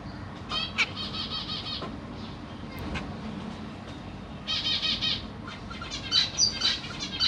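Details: Caged Black Cheek zebra finches, June 2023, parents feeding young: three juveniles and three newborns. Rapid buzzy pulsed bursts lasting about a second alternate with short quiet gaps, mixed with single sharp chirps.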